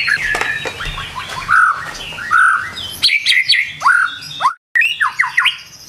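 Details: White-rumped shama singing in the morning, a varied run of rich whistled phrases, clicks and short upslurred notes with brief pauses, one moment of near silence partway through.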